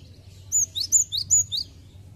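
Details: Cinereous tit singing, used as a lure so young birds start singing fast: six bright whistled notes in quick succession, each high piercing note paired with a lower downslurred one, steady and rhythmic over low background rumble.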